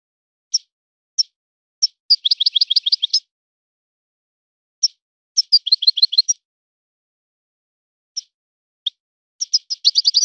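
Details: Wild-caught European goldfinch performing a breeder's song style. Single sharp call notes spaced about a second apart introduce fast twittering bursts, repeated three times with pauses between.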